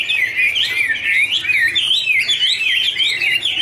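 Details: Chinese hwamei song, a wonderful warble from birds dancing and singing in duet: loud, continuous rich whistled phrases sliding up and down in wavy, looping notes without pause.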